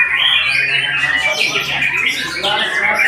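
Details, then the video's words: White-rumped shama singing a dense, fast stream of whistled and chattering phrases, with bright notes sliding up and down and a steady high warble running throughout. "Murai memang TOP MARGOTOP"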